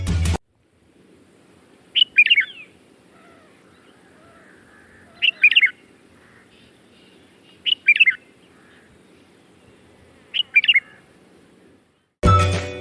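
Red-vented Bulbul giving four short, bubbly chirping phrases about every three seconds, with a low hum and faint music at the edges.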